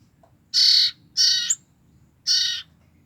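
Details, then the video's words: Young common iora siblings, just two weeks old and kept to lure their parents, utter three loud, grating rasps, the first two close together and the last after a short pause. "BURUNG CIPOH KAKA BERADIK INI EMNG LUAR BIASA BRU 2 MNGG DAH BERBUNYI SNGT BAIK UNTUK PIKAT INDUKNY"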